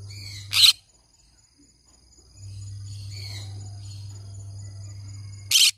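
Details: A green-cheeked conure gives one loud, harsh screech, then soft faint whistled notes, then a second screech at the end, over a constant low hum.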